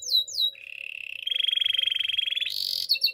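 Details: Spanish Timbrado canary singing for training: two downslurred whistles, then a long rolling trill that steps up in pitch and intensity, closing with quick high chips. A faint steady hum is in the background.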